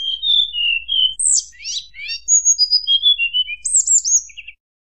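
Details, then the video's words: White-browed shortwing singing in fluting style to anger rivals, a varied tumbling phrase of clear whistles, steep sweeping notes and a high buzzy burst, then descending whistles before the song stops. "tledekan gunung nyuling bikin lawan emosi"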